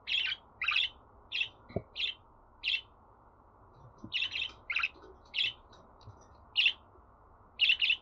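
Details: Pet budgerigar chirps, played to encourage a caged bird to sing: short bursts of bright chattering notes, single or paired, spaced irregularly across the clip over a low steady hum.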